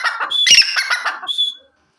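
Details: Grey francolin calling: harsh, squawky notes layered with a thin high whistle, rising into a loud burst midway, then ending in a clear drawn-out whistle before falling silent.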